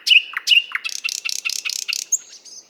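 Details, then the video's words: In a Moscow park, a nightingale sings loud whistled notes with dipping slurs, then a fast pulsing series of about seven rattling buzzy phrases, ending in a thin high whistle. "Соловей поёт"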